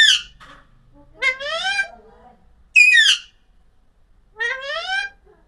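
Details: Alexandrine parakeet chirping in a series of strong harmonic calls. Rising squeaky notes alternate with a loud falling screech, spaced roughly a second or more apart, in an otherwise quiet setting.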